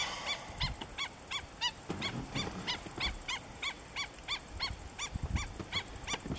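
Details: A juvenile black-winged stilt in Cyprus gives a rapid run of short, nasal, yelping notes, about three per second, over low wind rumble.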